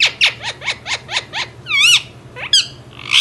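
An Indian ringneck parrot gives a run of seven harsh, falling squawks about every quarter second, then a wavering, whistly note and a sharp rising screech.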